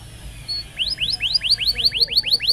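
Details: Canary song for training young canaries: a steady run of about ten bright rising chirps delivered in quick, even succession.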